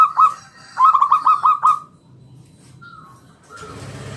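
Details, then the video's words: Local zebra dove calling in 'ngalun' style to prompt other doves to sing. A short burst of quick staccato notes is followed by a few faint drawn-out tones and a rising noise at the end. "Suara NGALUN Kung Bulat - Perkutut lokal gacor Pancingan"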